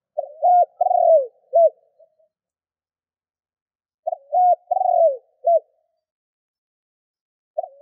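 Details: Decoy spotted dove calling to lure wild doves: well-spaced three-note phrases of low, hollow coos, a short hoot, a longer wavering falling coo and a brief end note, with long silences between.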